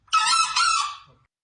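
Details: Male green junglefowl crowing: one short, high, strained crow of about a second in two quick parts, its higher-pitched flute-like call distinct from red junglefowl; no other sounds.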